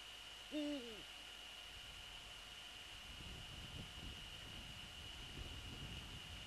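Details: Eurasian eagle-owl at dusk on February 3, 2014, with a prey transfer and then the male sitting on the nest: a single brief, bent, tonal call early on, then low rumbling noise and a constant thin electronic whine.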